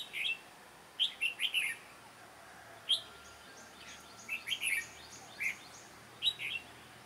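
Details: Red-whiskered bulbul with a sharp, bustling voice, recorded while being trapped: quick clusters of bright, slurred chirps, a lone note, then scattered warbled phrases over faint background hiss.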